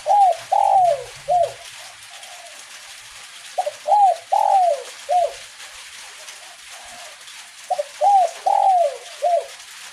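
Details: Kuk 1 spotted dove cooing steadily in a gentle drizzle: three repeated phrases about four seconds apart, each a quick stutter then mellow coos with one long falling note, backed by constant soft rain noise.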